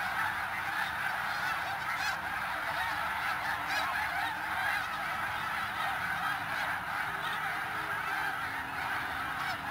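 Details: Snow geese massed at Middle Creek Wildlife Management Area in Pennsylvania, giving a continuous wall of overlapping honking calls from many birds at once, even in volume from start to finish, with no other clear sounds.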